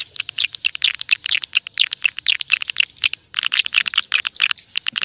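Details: Swiftlets recorded in nature, a calling sound meant to lure swiftlets: dense, overlapping bursts of sharp, high chirps and twitters from many birds, nearly continuous with a brief lull around the third second.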